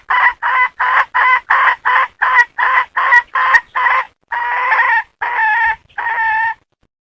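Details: Domestic hen cackling in a rapid run of about ten short, harsh clucks at a steady pace, then three longer, drawn-out squawking notes to close. The background is quiet.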